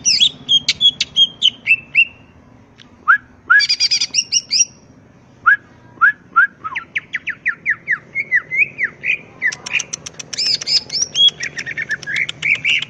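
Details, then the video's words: ['Greater green leafbird in lively song, described as full of fillers in ngentrok style with crest raised: varied whistled notes, descending slurs around mid-high pitch, then a run of quick repeated upslurred chips and a dense burst of warbling.'] "Burung Cucak Ijo Gacor full isian Ngentrok Jambul Nembak"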